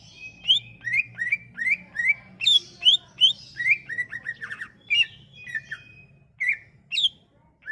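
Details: Lure song of a Sumatran leafbird, aimed at getting silent leafbirds to sing: a fast, varied stream of sharp whistles, chattering notes and downslurred phrases, with a faint low hum underneath.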